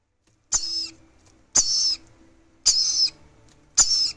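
Red-collared lorikeet chicks give four harsh, hissing rasps, each under half a second, about one per second, over a faint low hum.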